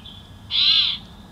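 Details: Single shrill, high squealing note from a bald eagle at a Big Bear Valley nest, May 2024 evening, caught by a nest camera as the pair carried sticks and snuggled before roosting; faint hiss behind.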